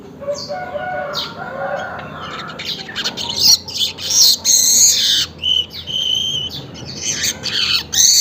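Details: Early-morning weaver, taped about 5:40 Western Indonesian Time: scratchy, wheezy chatter that builds into sustained sizzling buzzes mixed with thin high whistles, broken by brief pauses.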